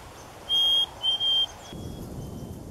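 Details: A Black-capped Chickadee whistles its clear two-part 'hey, sweetie' song, a long pure note then a slightly lower split note, over a faint steady background hum.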